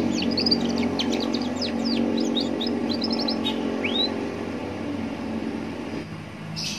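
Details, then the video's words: Young Atlantic canary singing by a roadside, used as a lure to get other canaries to answer; a quick run of high chirps and twitters, then a single rising whistled note, over a steady low traffic-like hum. "Pancingan kenari paud biar bunyi"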